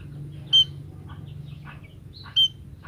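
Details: Female munia calling to attract males: sharp, high, thin notes with a bright overtone, given twice about two seconds apart, with softer chirps between and a low hum beneath.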